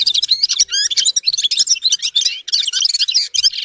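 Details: Gulsir, the red-fronted serin, delivering a dense twittering song of quick, squeaky, rising and falling notes, with tiny gaps between bursts.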